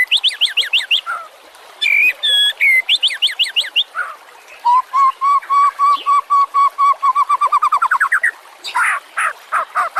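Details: White-rumped shama song recorded as a master for other cage birds: rapid whistled phrases, then a long steady series of low repeated notes rising in pitch at the end, followed by harsh chatter.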